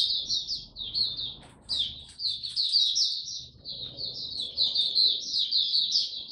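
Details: Mata Puteh, a white-eye kept as a cage bird in Singapore, singing on 31 July 2023 after a break; a long, nearly unbroken stream of high, rapid warbling and twittering notes over a quiet low background hum.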